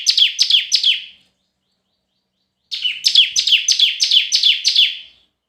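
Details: Red-whiskered bulbul singing competitively: a short run of quick, falling whistled notes, a silent gap, then a longer run of about seven similar notes.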